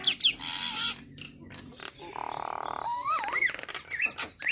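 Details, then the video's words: Nias hill myna: harsh, noisy bursts, a flat buzzy drone, then rising and hooked whistles. Used to get other starlings singing. "Kicauan Jalak Nias Suara Unik"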